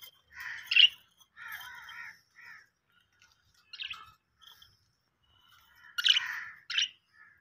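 Australian parrots give harsh, raspy squawks and chattering notes in short bursts, with a few sharp higher screeches between quieter pauses.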